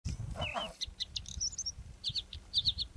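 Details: Iberian bluethroat (Luscinia svecica azuricollis) in Ávila, Spain, in May 2010, sings a varied phrase: a slurred, wavering note, then quick high metallic ticks and short sharp doubled notes, over a low background rumble.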